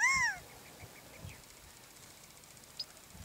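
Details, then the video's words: At a Moapa, Nevada wetland, a Gambel's quail gives one loud arched call that rises and drops, followed by quiet background with faint distant chirps. "Gambel's Quail (Callipepla gambelii) Calling"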